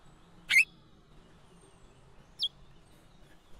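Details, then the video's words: Female chestnut-bellied seed finch (curió) calling: two short, sharp chirps, the first a bright upward-kinked note and the second a thinner high note about two seconds later, against a quiet background. "piado de curio femea"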